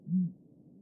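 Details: Great grey owl song: a single short, very deep, soft hoot lasting about a quarter second, followed by quiet background.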